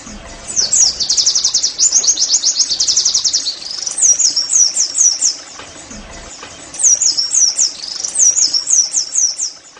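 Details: Caged Oriental white-eye, pleci, in a fast "nembak" song meant to stir other caged birds into song: a dense high trill of quick notes, then short bursts of looping whistles with pauses between.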